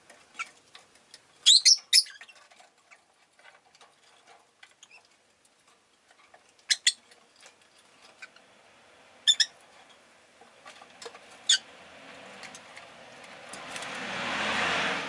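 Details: Pet rosy-faced lovebirds, a group chirping fairly often; a burst of shrill squeaky notes early, then scattered single chirps, before a rising rush of street noise, likely a passing vehicle, swells at the end.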